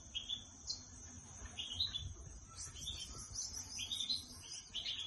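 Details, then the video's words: A trained canary at home, singing on its owner's hand and starting to sing when it hears its owner's voice, gives quick bright twitters and short high trills in bursts every second or so over faint room hum. "Trained canary at home singing beautifully Canary singing on your hand"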